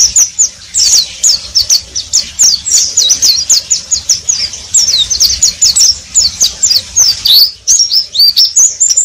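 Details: Oriental white-eye (pleci) singing steadily, said to be chirping continuously; a rapid run of high, thin chirps and twittering notes packed closely together without pause, ending in slightly lower slurred whistles.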